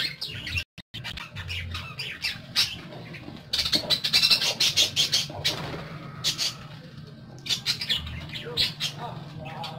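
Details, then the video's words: Several pet parakeets chatter busily, with dense strings of high, scratchy tweets and squeaks, a brief silent gap early on, then a loud run of rapid chirping and scattered softer notes over a low hum. "PARAKEETS (Listening To Their Tweets)"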